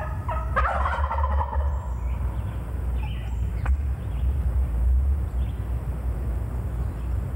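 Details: A worked-up wild male turkey answering a hunter's calling lets out one loud, rapid, rattling gobble of about a second from roughly 25 yards away, downhill behind brush, followed by a steady low rumble of wind.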